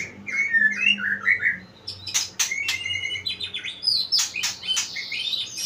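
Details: Caged white-rumped shama, two years old, described as in full song: a run of short whistled and warbled notes, then a burst of sharp clicks with high piercing whistles, delivered about four phrases a second.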